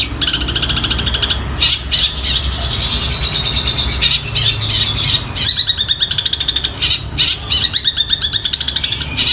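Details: Long-tailed shrike imitating sparrow fights and Tengkek Buto, a continuous trilling, buzzy chatter with fast repeated notes, about three per second in places, over a low background hum.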